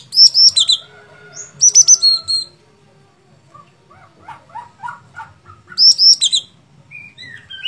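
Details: Sooty-headed bulbul, a fighter-type bird in full song: bursts of bright high whistled phrases with falling notes, separated by softer lower warbles and brief pauses.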